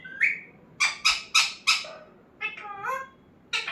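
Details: Pet parrot that talks: a rising whistle, then four quick sharp harmonic syllables in rapid sequence, a falling speech-like phrase, and a final burst.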